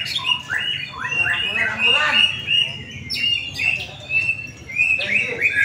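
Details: Competing white-rumped shama at a practice singing contest, placing first: bright sweeping whistles and quick chattering phrases delivered in short bursts with brief pauses, over background voices and other birdsong.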